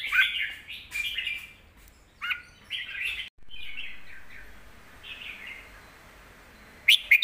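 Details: Red-whiskered bulbul song for tutoring young birds, deep and full-voiced: a few short warbled phrases with sharp clicks, then softer trailing notes that fade, ending with a crisp chirp.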